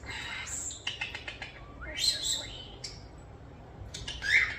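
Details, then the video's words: Pair of young captive European starlings, rescued as fallen nestlings, mimicking sound effects: bursts of clicks, a rising whistled sweep and sharp chirps, with wing flutters and a woman cooing praise to them. "Starlings Talking, Sound Effects, & Playing"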